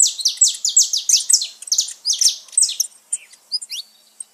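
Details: Saffron finch in loud, rapid song: a fast repeated string of strong high chirps slows into a few separate rising notes. Played to stimulate pet birds.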